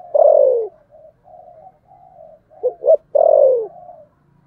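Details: 'Thổ sấm' coo of a fighting spotted dove: one long, falling coo, soft low hums, a pair of short abrupt notes, then a second long descending coo fading into a quiet tail.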